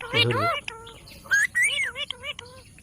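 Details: Pet green rose-ringed parakeet talking: a few speech-like syllables with harmonic, wavering tones, a short spoken phrase at the start, then rising and falling mimicked notes, with a faint steady high whine behind.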